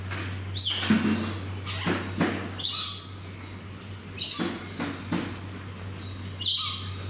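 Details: Moluccan (salmon-crested) cockatoo at Fuji Kachoen Garden Park, Shizuoka, Japan, 25 November 2018, giving six harsh, raspy screeches about a second apart over a steady low mechanical hum.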